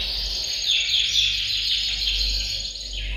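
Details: Canaries singing as a group in a bird room to push males into song and ready females for mating; a thick, unbroken wash of high warbling trills with faint low hum.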